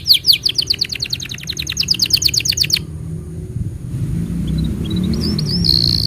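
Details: Canary tutor song for young canaries and those that stopped singing: a fast series of sharp descending chips for nearly three seconds, then low rumbling background noise and a soft high whistle.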